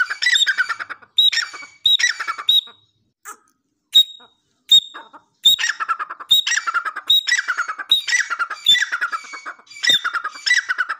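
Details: Desi Dakhni teetar, a grey francolin, repeating harsh squawking phrases with sharp high whistled starts, pausing briefly midway before resuming a steady series of grating calls.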